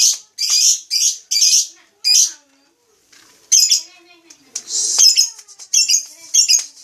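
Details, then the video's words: Lovebird giving loud, harsh, high chattering bursts in quick succession, each about half a second long, with a brief pause mid-way before the rapid screechy chatter resumes. "Suara burung lovebrid"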